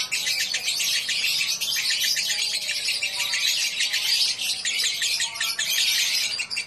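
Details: A pet lovebird singing at a bird-song contest pours out a long, unbroken stream of shrill, rapid chattering and squeaky chirps, high-pitched and continuous, with no pause for several seconds.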